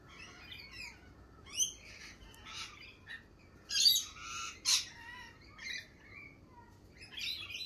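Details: Spring lorikeets giving sparse, scratchy squawks and short chirps at irregular intervals, with a louder cluster of harsh screeches near the middle against a quiet background.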